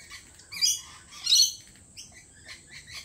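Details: Lorikeets at a lorikeet cafe: two strong grating screeches half a second apart, followed by several softer, quick chirping notes, over a faint steady high tone.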